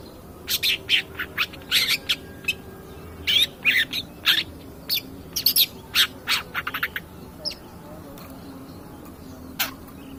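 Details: Long-tailed shrike, recorded as a lure to provoke other birds, gives an energetic burst of harsh chattering and squeaky notes, thinning into scattered single chips toward the end.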